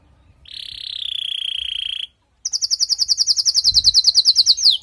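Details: A female canary calls after moulting to spur the male into condition: a smooth sustained buzzy trill, a moment of silence, then a quick run of high down-slurred notes, evenly spaced.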